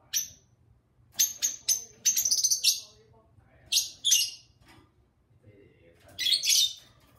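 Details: Lovebirds at home chattering with their owner: a busy string of high, squeaky chirps and trills in quick succession, a short gap, two more sharp calls, then a raspy buzzing burst.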